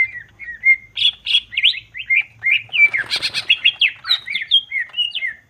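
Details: Greater green leafbird singing a gacor song of rapid 'nembak' bursts, meant to stir rival leafbirds' emotion: varied clear whistles and quick rising and falling slurred notes, a harsher burst at mid-clip, with a faint low hum beneath.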